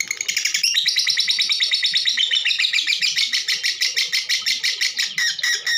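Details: Female lovebird chattering, the sound used to coax other birds into song; a loud, dense, harsh stream of rapid buzzy notes runs unbroken for several seconds.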